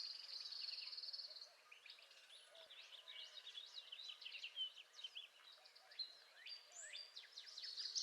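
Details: Northern parula singing in spring: a loud, level, high buzzy trill of about one and a half seconds opens the clip, followed by a busy mix of thin, high, rapid chirps and slurred notes from overlapping birds.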